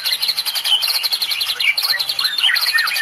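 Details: Murai medan (white-rumped shama), a caged songbird in the Indonesian cililin song style, delivers a dense run of rapid high chirps and short whistled notes repeated several times a second, with a quick trill near the end.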